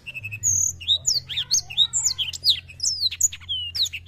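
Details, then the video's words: Black-throated canary singing nonstop, played to stimulate young birds to sing. An unbroken stream of high, quick whistled sweeps, trills and twittering notes, some rising and some falling, over a faint low hum. "BLACK THROAT GACOR AMPUH MERANGSANG BUNYI BURUNG MUDA"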